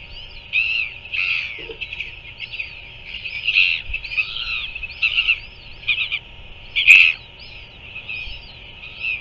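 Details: Royal albatross chick being fed by a parent in New Zealand, live nest camera, 5:41 pm, 7 February 2024; a series of brief buzzy, squeaky notes roughly every second, one louder sharp note near the end, over continuous hiss.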